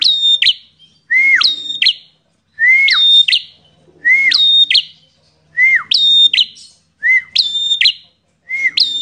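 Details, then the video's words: Fighting bar-winged prinia visiting as a guest bird: each phrase opens with a clear whistled note dropping sharply, followed by ringing buzzy chips, repeated about every one and a half seconds. "Prenjak Petarung Gacor Emosian"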